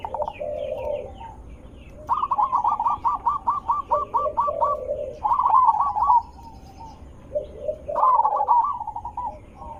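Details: Zebra dove lure voice, loud and melodious, meant to make other zebra doves reply: an extended run of rapid staccato coo notes, then low purring coos and a rippling phrase, with faint high chirps of other birds behind.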